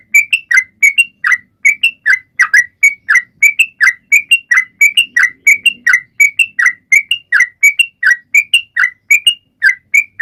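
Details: Sooty-headed bulbul singing to stir silent birds into calling; a long, steady stream of short whistled notes, falling slurs mixed with higher level tones, continuing without a break.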